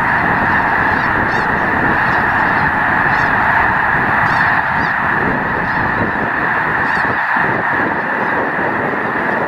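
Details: Massed Snow Geese, over a million strong, at Loess Bluffs National Wildlife Refuge on a beautiful 21 February 2020: a roaring chorus of overlapping honks, with a few sharper high yelps poking out early on.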